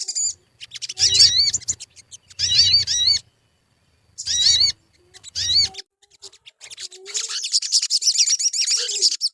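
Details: Sogon (crimson sunbird) lure song meant to make birds sing readily: four short bursts of high, squeaky, wavering notes separated by silences, followed by a longer, continuous, high-pitched twittering run.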